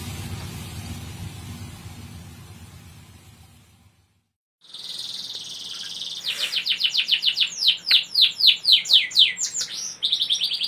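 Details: Canary singing constantly to provoke other canaries into song: after noisy hiss and a brief silence, a buzzy trill gives way to a long run of rapid descending whistled sweeps and a pulsing high trill.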